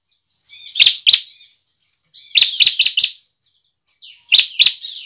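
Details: Bar-winged prinia (Prinia familiaris), a caged bird's song used to lure others into singing: three quick, high phrases, each with two to four sharp, loud chips over thin, buzzy chatter, with brief pauses between.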